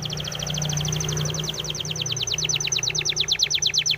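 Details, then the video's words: Spanish timbrado canary training song: a continuous rapid trill of paired high notes whose rhythm slows slightly and turns more sharply accented toward the end, over a low background hum. "SPANISH TIMBRADO SONG FOR TRAINING - canary training song"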